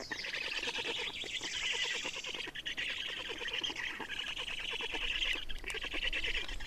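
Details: Feeding black storks in Estonia, 30 May 2019, 10:27. A steady stream of hoarse, hissing rasps with a quick pulsing rhythm carries on throughout, now and then swelling louder, with a faint low rumble underneath.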